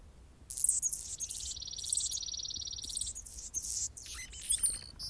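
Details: Male Anna's hummingbird defending territory near a nest where a female feeds a baby; high squeaky chips lead into a steady, rapid buzzy trill lasting about a second and a half, followed by more scattered scratchy notes.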